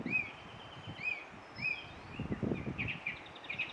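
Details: Eurasian treecreeper (Certhia familiaris) in Ross-Shire, Scotland, 22 April 2016, giving thin, very high slurred notes about twice a second, ending in a quicker high flourish, over soft rustling.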